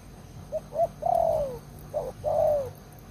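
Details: Spotted dove kept as an old decoy bird for luring wild doves, known for a loud voice, giving soft short coos followed by a long downward-sliding coo, twice, with a low background hum.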